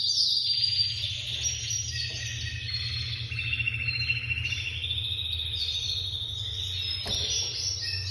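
A Spanish canary sings a continuous, bright, high-pitched song of rapid trills and rolling, metallic phrases, shifting pitch every second or so, over a steady low hum.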